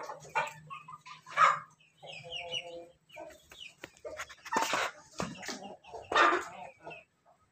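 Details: A laughing chicken (ayam ketawa) crossbreed rooster crows loudly in a broken, stuttering run of short hoarse notes, like laughter, several bursts in a few seconds over a low steady hum.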